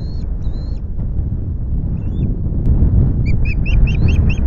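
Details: Osprey at the Loch Garten nest on 25 July afternoon, fish delivery under way; two drawn-out high whistles open, then a short burst of rapid piping notes near the end, against heavy wind noise.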